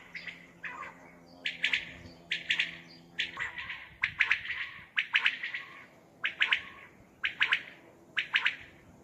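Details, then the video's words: Common quail at night, a recording for hunting: about nine rhythmic three-note phrases, sharp and slightly echoing, repeating roughly once a second. "Common Quail sounds batair sounds for hunting batair ki awaz night بیٹر کی آواز رات کے وقت"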